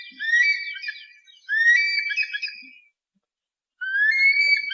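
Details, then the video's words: Eagle call, recording used to scare away pests: two long, high whistled notes sliding upward with a fluttering, wavering edge, a third starting after a short silence; no other sounds. "suara burung elang pengusir hama"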